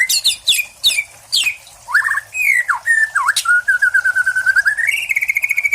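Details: Caged white-rumped shama, a prize-winning practice-contest bird whose song carries Cililin-style material with sparrow and 'kapas tembak' imitations: sharp high chirps, then slurred falling whistles, and a long rapid even trill closing the phrase.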